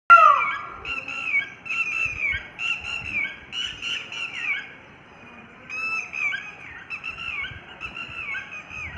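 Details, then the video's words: A peacock calls: a loud falling wail, then a run of harsh, nasal squawks about once a second, with quieter chatter from other birds behind. "Peacock nice voice"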